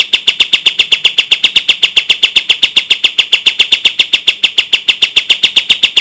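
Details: Kapas tembak bulbul, recorded as a tutor for caged songbirds: a continuous burst of sharp, clear notes repeated rapidly and evenly at a high pitch.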